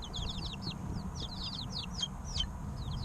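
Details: Several three-week-old chicks peep rapidly in overlapping runs of short, high, downslurred cheeps, over a steady low hum.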